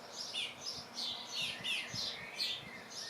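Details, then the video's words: Two common swifts looking out of a nest box, recorded 17 June 2025, give shrill, thin screaming calls at about three per second, high-pitched and slightly buzzy, over a faint low rumble. "Mauersegler sitzen im Kasten Ruf Schrei Apus"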